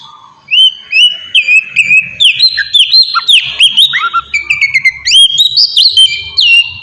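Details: Oriental magpie-robin lure song intended to make other magpie-robins reply. After a brief quiet start, a long, lively sequence follows of bright, looping whistles and quick chirps, with pitch jumping repeatedly up and down.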